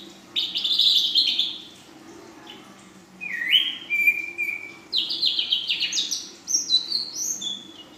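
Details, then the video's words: Full isian song of a young female ashy drongo: a rapid buzzy high rattle, a pause, a lower rising whistle held flat, then quick stepped chattering notes climbing and falling, faint hum beneath. "Srigunting Abu Paud Betina Full Isian"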